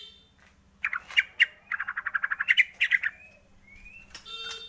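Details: White-rumped shama lure song for prompting shamas to sing. It has a rapid series of harsh, clipped notes repeated about three times a second, then a thin rising whistle and faint background hum.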